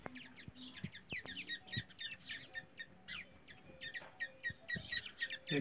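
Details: Black francolin calls from India, used as a lure for trapping francolins and described as baby voice: a rapid, slightly uneven run of thin high chirps, fairly faint, with a few clicks and knocks.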